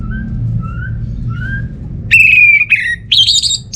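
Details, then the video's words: Orange-headed thrush from North Bali, a lure to start silent birds singing: soft thin whistles at first, then a loud, long, slightly falling ringing note and high buzzy trills, over faint low hum. "Gak Sabar ANIS MERAH Mau Nyaut Gacor❗❗❗Pancingan Ampuh Buat Burung Dirumah yang lagi Malas Bunyi"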